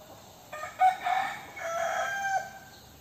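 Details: Young rooster crowing: a single loud, harmonic crow of about two seconds with a rough opening burst, a sustained middle phrase and a falling close, over a quiet background.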